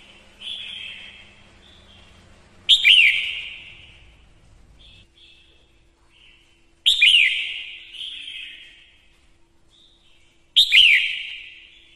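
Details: Red-whiskered bulbul hen singing as a lure to excite males; repeated ringing whistled phrases every three to four seconds, each with a quick warbled onset and long fading tail, soft notes between.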